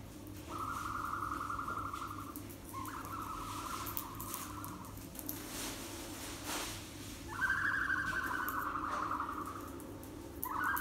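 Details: Farm-raised ostrich chicks, the year's first hatchlings, indoors in their room, recorded on 23 April 2020; several sustained, slightly wavering whistled calls, each a second or two long, separated by short gaps and faint thumps.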